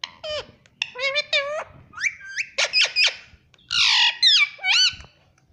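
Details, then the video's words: Talking parrot saying "mummy": rapid run of bright, harmonic, speech-like syllables. Some bend down and some sweep up, ending in a harsher, rasping burst and final rising notes. Indoors. "parrot mummy talking - baby parrot talking - cute parrot talking"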